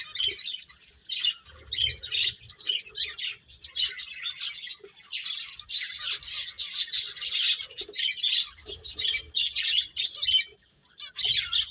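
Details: Lively finches keep up a long, busy chorus of high, tinny chirps and twitters, rising to a dense peak midway before thinning into scattered notes, with soft low rustles.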